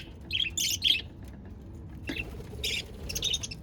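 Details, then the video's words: A few budgie chirps recorded 22 January 2024: three quick high notes at the start, a pause, then a single sharp chip and two more short twittering bursts. "Lovely budgies sound and chirping"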